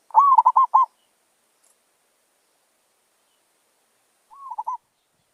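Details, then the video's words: Wild zebra dove lured with a decoy bird: a quick series of rolling, bubbling coos, then a shorter, softer burst of the same pattern about three seconds later. The background is quiet. "Merbok Kampung"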